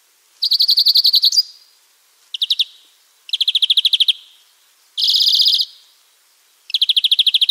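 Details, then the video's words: Loud, close European greenfinch from the wild repeating rapid metallic trills, each a second or less, one shorter burst and one a dense buzzy roll, with brief silences between. "chant et cri du verdier / song & call of greenfinch"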